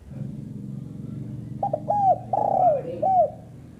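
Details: A single phrase from a female spotted dove: a brief double note, a hooked coo, a long rough coo dropping in pitch, and a last rounded coo. Low indoor-sounding hum throughout.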